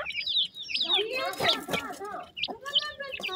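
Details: Hungry partridge chicks being fed give wavering high peeps and a burst of harsher buzzy chatter in the middle, then a few isolated sharp chirps.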